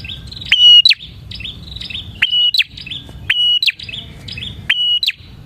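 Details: Bar-winged prinia song used as a lure to attract prinias. Loud phrases are repeated about every one and a half seconds, each a sharp upslur into a steady clear whistle, then a quick rising flick. A faint low rumble sits underneath.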